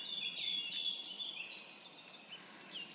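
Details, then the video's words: Birdsong in a forest in the morning: high, thin whistled phrases and quick trilled notes, with faint background hiss. "poranek w lesie śpiew ptaków"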